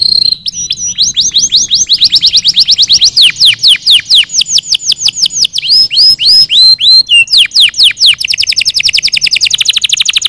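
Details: Canaries singing to encourage other birds to sing: a long, loud series of rapid descending sweeps, repeated in fast runs that shift speed, with brief whistled slurs and a quicker, denser trill near the end.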